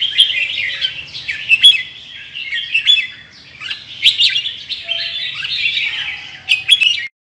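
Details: Red-whiskered bulbul of Indonesian stock with large red cheek patches, singing in the ché style while softly fanning; bright, chirpy warbled phrases of rapid high notes run almost without pause, with a faint low hum beneath.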